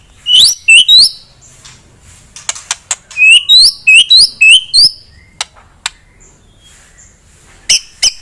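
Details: White-rumped shama, a fighting-type bird, sings to raise a rival's aggression: sharp upswept whistled notes in quick bursts of two to five, separated by short pauses and a few clipped ticks.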